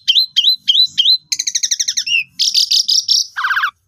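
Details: Asian pied starling lure song for silent birds: four matching upslurred whistles, then a quick buzzy rattling series and a lower chattering trill.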